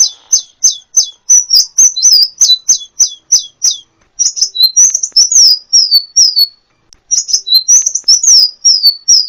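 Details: Sunbird (kolibri ninja) song meant to teach songbirds: a steady series of about ten near-identical high downslurred chips, then excited twittering phrases separated by pauses of one to two seconds.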